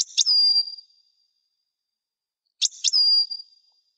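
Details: Juvenile European goldfinch, Widani type, still sorting out its song: two identical phrases about 2.5 seconds apart, each a pair of sharp clicks followed by a long, thin, slightly falling whistle. The background is quiet.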